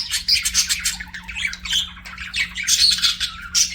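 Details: Pet budgerigars singing and chirping, a dense continuous chatter of scratchy, buzzy warbles with squeaky whistled notes, many overlapping calls with no pauses; a faint steady low hum runs underneath.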